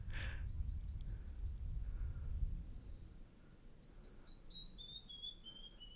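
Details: Canyon Wren singing in a slot canyon while a hummingbird flies around: a cascade of about a dozen clear, sweet whistled notes that descend steadily in pitch over two and a half seconds, following low rumbling noise and a brief buzzy hum.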